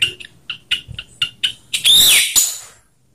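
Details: Anis merah, the orange-headed thrush, singing ngeplong style in a rough-versus-slow mix for prompting birds: a run of short sharp notes about every quarter second, then one long bright slurred whistle and a final short note before silence.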